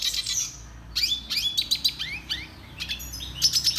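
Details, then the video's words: Song-training recording of a red siskin (Spinus cucullatus): high twittering phrases with quick upward-slurred chirps repeated at irregular intervals, mixed with thin buzzy trills and sharp metallic notes. "Canto Pintassilgo venezuelano - Red Siskin The BEST Song Training"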